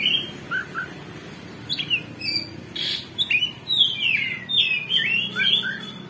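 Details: Oriental magpie-robin lure song meant to stir a rival magpie-robin into a fighting mood. Scattered chirps at first, then a fuller run of buzzy, slurred whistles against a soft hiss and low hum.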